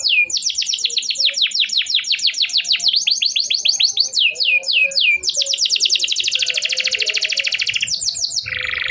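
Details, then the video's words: Canary song played as therapy for canaries that stopped singing: long runs of quick descending chips, a dense buzzy rolling trill, and a final lower warbled phrase. "kenari gacor panjang Cuit Cuit EMOSI, Pancingan Kenari Paud Belajar Bunyi, terapi AMPUH Kenari MACET"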